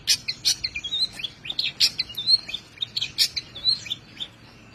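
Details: Long-tailed shrike in a songbird-training recording, tembakan style: loud harsh bursts alternate with thin sliding whistles and short chirps in an irregular, varied phrase.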